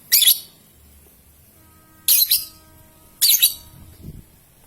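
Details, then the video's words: Lure recording of a young lovebird meant to set off long ngekek and ngetik singing; three harsh, very high chirping bursts, the later two doubled, with a faint steady background tone. "LOVEBIRD PAUD, PASTI BAKAL BUNYI NGEKEK NGETIK PANJANG"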